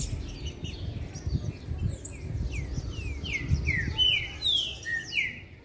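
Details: Trinca-ferro, Green-winged Saltator, giving its mixed song, called misticinho: a rapid sequence of bright, downslurred whistles quickening toward the end, over steady low rumbling background noise.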